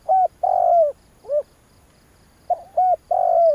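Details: Spotted dove recording used as a trapping lure: a run of short, low coo notes, some two-part and hooked, followed by longer hoarse descending coos, closely spaced over a few seconds.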